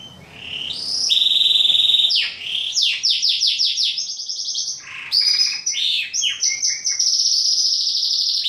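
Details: Male pet Yorkshire and Waterslager canaries sing loudly as the days lengthen, a long, varied song of rising sweeps, steady high trills and bursts of quick falling notes repeated several times a second, with no other sounds.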